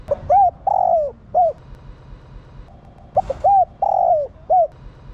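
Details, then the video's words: Spotted dove hen calling to rouse males. Two full phrases about three seconds apart, each a clipped note, an arched coo, a long descending coo and a short curved coo, all low and mellow. "Tiếng Cu gáy mái kích trống căng lửa"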